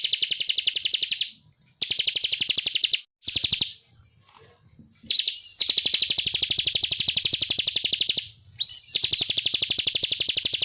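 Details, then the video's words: Masteran recording of a bar-winged prinia in ngebren style, with short and long bursts of rapid, dry trilling notes, two of them led by a sharp rising whistle, separated by brief quiet gaps. "Suara masteran burung ciblek _ GACOR NGEBREN FULL EMOSI"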